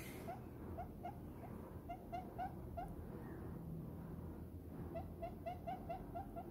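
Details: A happy diamond dove nestled in a palm gives soft, short coos in quick bursts of about four a second, pausing between runs, over a low steady rumble of handling noise.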